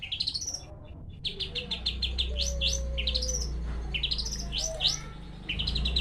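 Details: Song of a long-tailed shrike: bursts of rising, upswept whistles and quick stuttered notes, broken by brief pauses, over a steady low hum.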